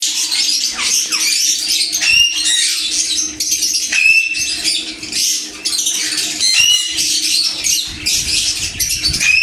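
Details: Sun conure, a golden-yellow and orange parrot, giving harsh, grating screeches in dense overlapping bursts with scarcely a pause, some short rising whistled notes mixed in, over a faint steady low hum.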